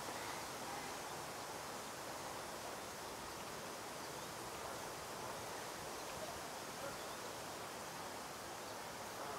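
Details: A steady, even hiss like rushing water or wind fills the recording, with no clear animal calls.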